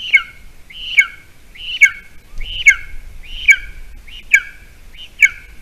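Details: Golden eagle at its Latvian island nest near a bog, 28 June 2020, with a mouse brought for breakfast: loud, clear, shrill whistles, each a slurred downward note with a buzzy edge, seven in under six seconds.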